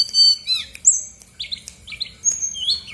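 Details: Short burst of brown-chested jungle flycatcher song, used to make lazy birds sing: rapid high whistles and squeaky slurred notes tumbling together.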